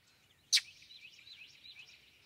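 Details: A single loud, harsh chack, one of the Northern Mockingbird's two common short calls, cuts in sharply over a steady high wavering hum of insects or distant birds; a viewer suggests a White-throated Sparrow sound near the start.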